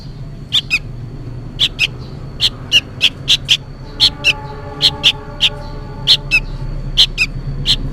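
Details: Juvenile sooty-headed bulbul begging noisily from its parent: a steady stream of paired harsh chirps, around sixteen notes, with a low humming drone joining in the background halfway through.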